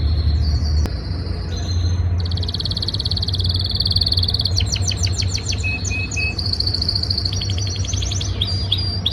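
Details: Canary singing in the breeding season to win a female: high whistled notes leading into a dense rolling trill, then rapid chirped bursts and short whistles over constant low background hum.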